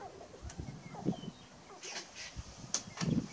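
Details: Sharp-tailed grouse males on their lek in Burwell, Nebraska, March 29, 2018: sparse low clucks and a deeper coo near the end, among short sharp ticking noises and a faint distant whistle.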